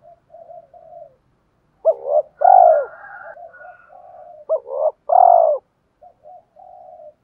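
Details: Spotted dove giving provoking coos that push a newly caught wild dove to coo back: soft low murmurs broken by two loud hollow coo phrases, each a rising note into a fuller downslurred coo.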